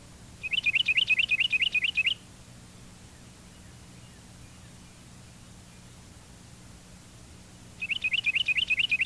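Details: Carolina Wren singing its two- and three-noted tea-kettle songs, loud, rolling series of rapid repeated phrases, about seven in under two seconds, given twice with a long pause between.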